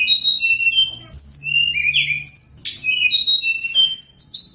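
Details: Snowy-browed flycatcher singing at Gunung Songgo Langit: high thin whistled phrases, some rising and some falling, and short trilled notes tumbling one after another with little pause.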